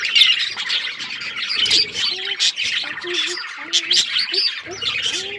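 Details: Colourful pet budgerigars playing together: busy overlapping chirps and harsh squawks, broken by short pauses, with some softer lower warbled notes underneath.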